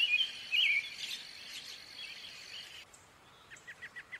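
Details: American robin singing: a few short warbled, slurred phrases near the start over a steady high insect hum, then a row of five quick rising chirps from another bird.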